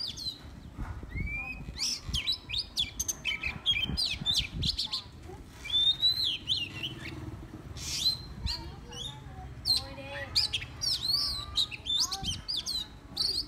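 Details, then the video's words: Decoy Oriental magpie-robin pouring out a long improvised song: rapid sequences of clear whistles, sweeping slurs, harsh chirps and brief trills, with occasional low knocks in the background. "Ngẫu hững choè than mồi"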